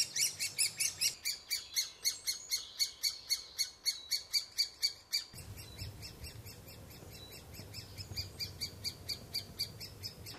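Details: Woodpecker at the nest giving a loud, rapid series of rasping calls, about four per second, fading somewhat after the midpoint while a low hum rises behind them.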